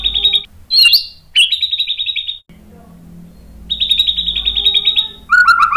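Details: Lure song of a white-rumped shama, aimed at provoking rival shamas into song: rapid high buzzy trills, a sharp rising whistle, a quiet gap, then another long trill ending in lower whistled notes.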